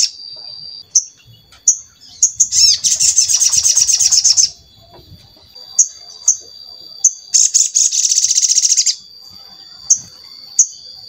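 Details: ['Lure song of the sogon for prompting silent or reluctant birds to sing: short high whistled notes spaced about a second apart, broken by two bursts of rapid buzzy trilling, with faint low background noise.']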